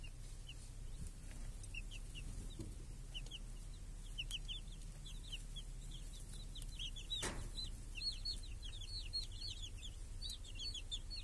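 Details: Chicks and hens in a village on a clear summer day, grazing under a protective cage that shields the young from crows and hawks; many high, short, downslurred chick peeps come in quick bursts throughout, with a sharp click midway.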